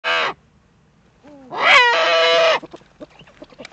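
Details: Common moorhen calling at night in the Eifel on 13 April 2014 at 22:29: a short harsh squawk, then a rising whine swelling into a loud nasal croaking note about a second long, followed by faint clicks.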